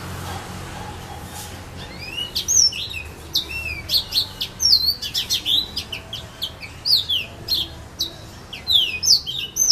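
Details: Yellow-fronted canary, known locally as serin pays, singing in casuarina trees at Saint-Philippe, Réunion: quiet opening, then a lively run of sharp, high, downslurred chirps and twittering notes, bursts coming several per second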